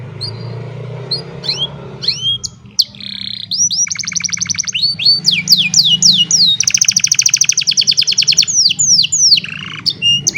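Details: An old canary sings on a sunny morning, recorded on a cellphone: bright whistled upslurs, then long rapid trills and rolling buzzy notes high in pitch, with faint low background hum.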